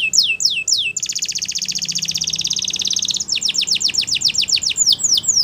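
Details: Waterslager canary training song: a few falling notes, then an unbroken rattling, bubbling roll lasting about two seconds, followed by a fast run of descending whistles.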